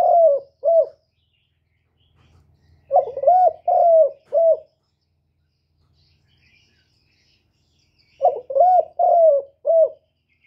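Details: Spotted dove cooing to provoke males: three phrases of short, mellow, husky coos, each phrase three to five notes, with long silent gaps between them and a faint low rumble in the background.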